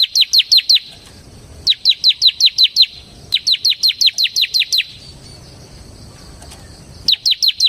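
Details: Vigorous ngebren song of a semi-type bar-winged prinia, meant as a lure and tutor recording. Sharp high downslurred chips arrive in quick runs of about five, seven and seven, then four, with soft background hiss in the pauses.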